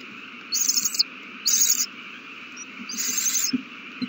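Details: Owl chicks being fed on March 27, 2020 produce three coarse, hissing screech bursts at irregular intervals, with faint scratching sounds and a steady low hum behind them.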